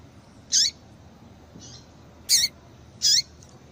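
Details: Female yellow-bellied seedeater calling to get males singing; three loud high chirps with downward tails and a faint softer note, the last two close together, against low hiss.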